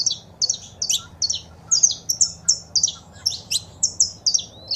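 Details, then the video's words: Saffron finch, male song and female calls for stimulating a pet bird: clipped high chirps in small groups of two to four, repeated steadily about twice a second, quiet hum behind. "Foguea seu Canário da Terra com Esse Piado de Fêmea e o Macho Cantando"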